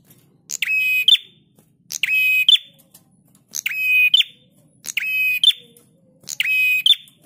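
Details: On a master recording for training cage birds, a prinia repeats a loud, grating buzz with an abrupt high ending five times, about every one and a half seconds, each phrase nearly identical.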